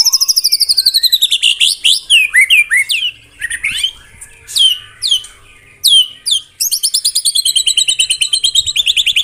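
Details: White-rumped shama (murai batu) in the 'tembakan rapat' style: long fast runs of high, downslurred whistled notes, rattling at about seven per second, broken by varied swooping phrases and brief pauses.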